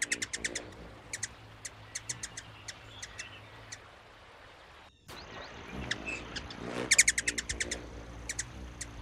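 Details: Ruby-throated hummingbird (Archilochus colubris) gives rapid, high, squeaky mouse-like chirps and twittering in quick bursts, used when chasing each other in territorial disputes, with a denser run near the end over a faint low hum.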